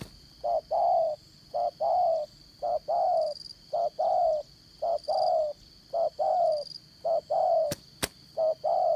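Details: Trapping decoy spotted dove with a 'đồng son' voice in the 'dán cổ' style. About seven regular coo pairs sound in nine seconds, each a short note and then a longer one. Two sharp clicks come near the end, with insects buzzing behind.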